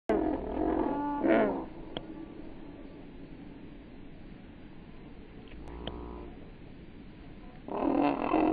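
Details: A domestic goose in flight gives loud, nasal honks in short bursts, separated by gaps of steady background rush.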